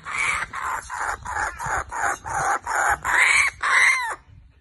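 A kookaburra gives a run of about nine harsh, raucous notes, roughly two per second, growing louder and ending in a few rising-falling squawks.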